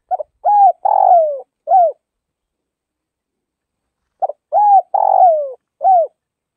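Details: Spotted dove of the Tây Bắc region of Vietnam repeating its mellow cooing phrase twice: a clipped opening note, a rising coo, a long descending coo and a final short coo. The setting is otherwise silent.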